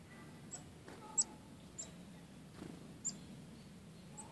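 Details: Friendly chickadees at Ipswich River Wildlife Sanctuary follow walkers from tree to tree along the trails, hoping for seeds. Short, very high, thin notes sound about five times in four seconds at uneven intervals over a low background rumble.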